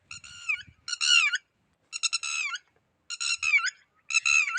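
Red-wattled lapwing giving loud, strident bursts of rapid repeated notes, five short phrases about a second apart; faint low thumps early on.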